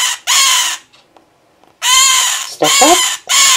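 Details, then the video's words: Male pet scarlet-chested parakeet repeatedly crying while being handled, his female mate close by; four loud, raspy, drawn-out cries with a short pause in the middle and a brief woman's murmur between them. "Scarlet Chested being a cry baby"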